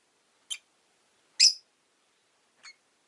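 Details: Caged rosy-faced lovebirds, five birds by a window in winter; three brief high chirps over three seconds, the middle one loudest, otherwise quiet.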